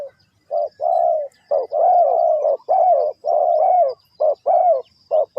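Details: Spotted dove of Ninh Thuận, associated with bird trapping, uttering repeated deep mellow coos, short notes alternating with drawn-out rolling ones, continuous and loud with only tiny breaks.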